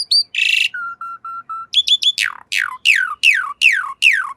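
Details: Song of an Asian pied starling for training cage birds: a harsh rasp, four level low whistles, then loud steeply falling whistles repeated about every third of a second.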